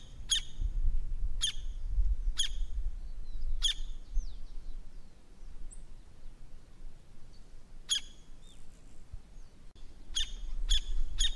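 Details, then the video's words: Ground-feeding Campo flicker of open South American plains uttering loud, ringing single notes spaced about a second apart, a pause, then a quicker cluster of notes near the end; faint thin chirps from another bird in between. "Pica-pau-do-Campo - Canto"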